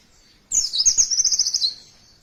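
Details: A single brisk burst of white-eye song, about a second of high, shimmering twitters that trail off into quiet.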